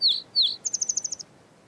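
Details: Gray Catbird singing with mimicry, copying a sora rail, western wood pewee song, Wilson's snipe and a Pacific tree frog; two high downslurred whistles, then a quick even series of about eight short ticking notes.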